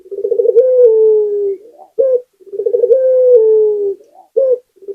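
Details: Local spotted dove cooing, used as a lure sound to get other doves singing: a rolling stuttered start flows into a long gently falling coo, followed by a short clipped note, the whole phrase given twice in quiet surroundings.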